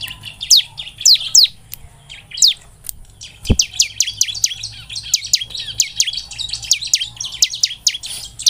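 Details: Bar-winged prinia song intended to stimulate singing: loud, sharp, down-slurred chips mixed with lively, varied twittering that grows busier and continuous, with one brief click partway through.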